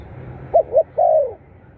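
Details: Spotted dove voice used to spur captive doves: a single low phrase of two quick hoots and a drawn-out, gently descending coo.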